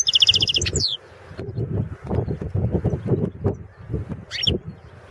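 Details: Balkan goldfinch, Carduelis carduelis balcanica, singing for the 2016 World Championship in goldfinch song: a quick series of evenly repeated bright notes ending in a falling slur, a brief chirp later, over heavy low thumping background noise.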